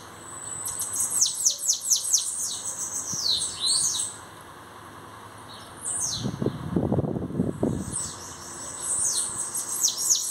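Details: High, sibilant song of a bananaquit: fast strings of descending squeaky notes, broken midway by a loud low rumbling noise before the singing resumes.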